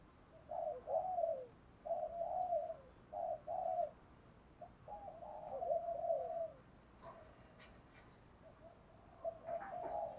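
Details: Spotted dove cooing, from a compilation of lure calls of the thúc, gáy gọi and gù đấu styles used to excite wild doves: short throaty coos in four grouped phrases, a pause, then a longer run and softer coos later.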